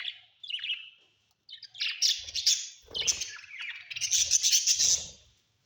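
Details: Several pet budgerigars at home trade rapid warbled chirps and harsh squeaks in overlapping bursts, with soft low knocking sounds beneath the calls.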